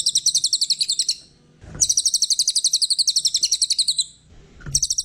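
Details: Brown cililin kept as a master bird for songbird keepers, with rapid, high, repeated notes in long chattering phrases separated by quiet gaps.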